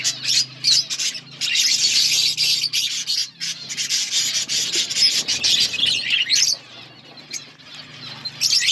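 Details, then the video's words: Budgerigars in an outdoor colony chirping; dense, overlapping high scratchy chatter and warbles from many birds, almost continuous with short lulls, over a low steady hum. "Budgies chirping sounds in outdoor budgies colony"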